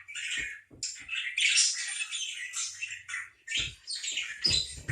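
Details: A parakeet squawks harshly in quick, noisy bursts, one long raspy stretch in the middle, with faint thuds underneath.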